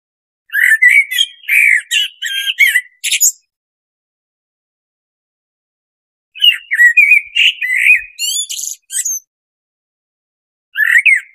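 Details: Blackbird repeating its song in separate bouts several seconds apart: varied fluty, warbled whistles followed by thin, scratchy high-pitched squeaks, three phrases in all, with a clean, quiet background.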